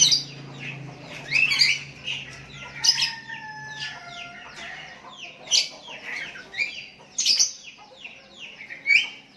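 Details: Sooty-headed bulbul calling to a rival, other bulbuls joining in; a lively stream of slurred chirps and short whistled notes, several birds overlapping throughout.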